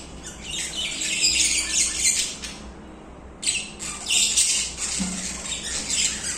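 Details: Pet budgerigars singing and chirping continuously indoors: dense, harsh, scratchy high chatter in overlapping bursts, a brief lull near the middle, then renewed busy warbling with squawky notes, several birds calling together.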